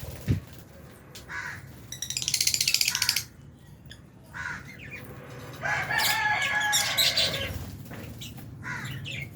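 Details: Lovebirds, Albino and Fisher's, feeding in an aviary with budgie parrots; rapid rattling trains of harsh chirps lasting about a second each, interspersed with single sharp squeaks, over a constant low hum.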